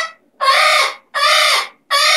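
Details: Severe macaw (Ara severus), call.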